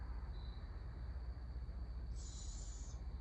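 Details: A young barred owl, a juvenile begging while an adult feeds the young, gives one harsh, hissing screech lasting under a second, over steady low wind rumble, with a faint thin tone just before.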